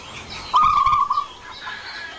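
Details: Zebra dove in ngerot song gives a single brief rolling coo phrase of quick, level notes amid hissy background noise and faint distant chirps.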